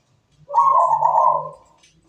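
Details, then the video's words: Zebra dove (perkutut) song. A single warm, rolling coo lasts about a second over a faint low hum. "PERKUTUT GACOR SUARA MERDU"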